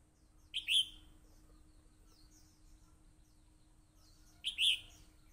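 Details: Red-whiskered bulbul fighting song: two short, bright, warbled phrases about four seconds apart, each a quick rising-and-falling burst, with near silence and a faint steady hum between them.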